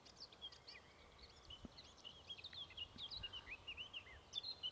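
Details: Song of a Eurasian skylark, a continuous high chirping warble of short slurred and whistled notes, quiet against steady low outdoor noise.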